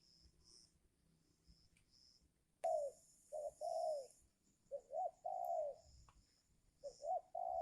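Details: Spotted dove used as a lure to trap wild doves during the giring season, when wild birds are reluctant to come down. It gives low, hoarse coos in short groups of two or three notes, separated by brief silences.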